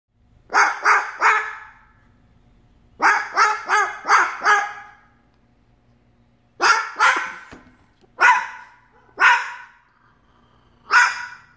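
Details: Pet umbrella cockatoo mimicking barks at the neighbour's dog: harsh hoarse bark-like calls in quick bursts of three to four, then single spaced barks, over a faint steady low hum.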